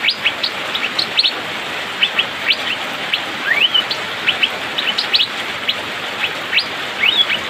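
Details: Rainy-season song of an Asian fairy-bluebird: a rapid, tightly packed stream of brief upswept whistled chips, broken by a few longer rising whistles, against constant background hiss.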